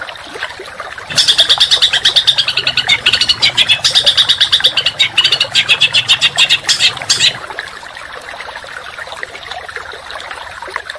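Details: Contest songbird masteran with rapid, rough 'tembakan' bursts: about six seconds of fast, tightly packed high chattering notes and trills, then quiet background noise.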